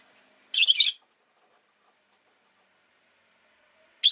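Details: Pet Rosy-faced lovebird uttering one loud, harsh, high chirp lasting about half a second, then quiet, with another chirp beginning at the very end.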